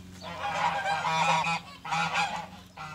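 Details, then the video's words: Geese on a farm with chickens in springtime give a loud, continuous stretch of raucous, overlapping nasal honks, breaking briefly before a second short burst, with a low steady hum underneath. "Goose Sounds"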